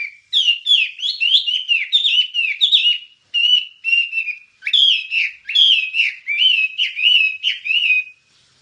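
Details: Wambie song kept for training other songbirds, made of loud, bright whistled phrases with quick rising and falling slurs, delivered in continuous bursts separated by short pauses, with a clean, quiet background.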